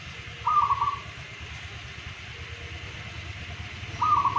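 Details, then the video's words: Local zebra dove, a daily active singer praised for a golden voice, gives two brief rolling, trilled cooing phrases about 3.5 seconds apart, with steady low background hum between them. "Perkutut Lokal Gacor Harian Bersuara Emas"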